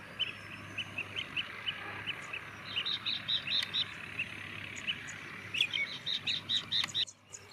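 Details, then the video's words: Four common mynas (Acridotheres tristis) giving runs of short, sharp chattering notes, a dozen or more in quick succession, over a steady background hum. "Four Indian Myna - Common Myna - Mynah Birds"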